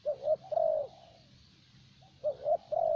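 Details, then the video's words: A decoy spotted dove of the 'thổ bầu' type, caged in Vietnam, coos twice: quick double short notes followed by a long, smooth, slightly falling coo, in a quiet setting. "Terkurkur លេងបានល្អបំផុតនៅវៀតណាម។ (Lý do tại sao thổ bầu lại là con mồi được ưu tiên chọn )"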